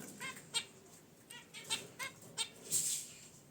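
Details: Pet zebra finches relaxing in their cage by a wicker basket nest give short, nasal, toy-trumpet honks, about seven in three and a half seconds, ending with a brief harsher burst.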